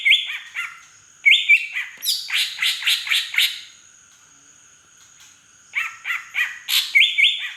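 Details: Green leafbird of Beutong forest, Aceh, singing drongo-style fill-in: stepped high whistles, then a run of six or so rapid, evenly spaced harsh chirps, a pause, and another fast chattering series ending in whistles.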